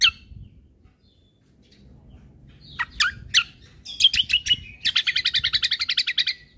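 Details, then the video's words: Song of a cucak kombo in 'full isian tembakan' style, for training caged birds: sparse sharp notes first, then a fast, even rattle of about fifteen high chattering notes closing the phrase. "Cucak Kombo Gacor Untuk Masteran Burung"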